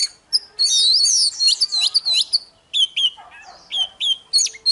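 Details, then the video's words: Fighting-style morning song from an oriental magpie-robin: a dense opening flourish of looping whistles, then spaced sharp notes and short downslurs repeated at an uneven pace. "Chòe than hót đấu//Kích chòe hót sáng"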